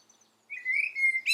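A common blackbird gives one drawn-out, clear whistle lasting under a second, then a brief squeaky, scratchy burst at the close. No other sounds stand out.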